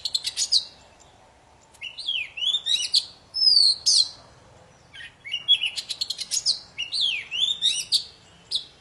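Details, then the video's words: Lively poci song used to coax quiet birds back into singing: looping V-shaped whistles and sharp chips in three main bursts separated by short silences. "Suara burung poci super gacor"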